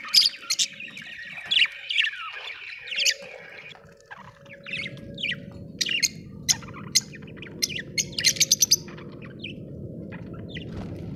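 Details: Several budgerigars give a lively run of sharp, high chirps and short squawks, with scattered rapid tweets and a steady faint whistle-like tone beneath, busiest in the second half.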